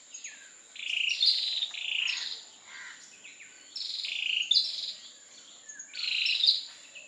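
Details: Ashy tailorbird, a common resident in Singapore, giving an unusual call unlike its usual ones: high, buzzy, stepped notes in short bursts of about a second, repeated with brief gaps, over a steady high insect hum.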